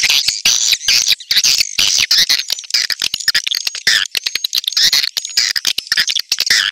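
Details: Call of swiftlets played to attract them, a rapid stream of clicks and harsh twittering chirps, dense and continuous, with a thin high tone in places.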